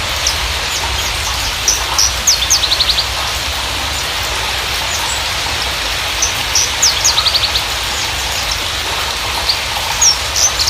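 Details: Javan bushlark (branjangan) of the parva type singing a lure song meant to prompt new or silent birds: bursts of rapid high chirps and short buzzy trills in clusters, over a constant rain-like hiss.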